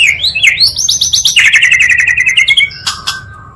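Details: Oriental magpie-robin song built from two singers to rouse other birds: rising whistles lead into a rapid repeated trill, then a long fast chattering series and two harsh buzzy notes.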